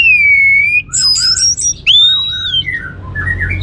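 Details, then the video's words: Orange-headed thrush lure song: a long, clear, slightly falling whistle, then a burst of high thin notes, a rising-then-falling whistle, and softer trailing twitters, meant to get other birds singing. "ANIS MERAH Cor Suara Penggoda Membuat Burung Kenceng Jadi Ngeplong Lanjut Teler"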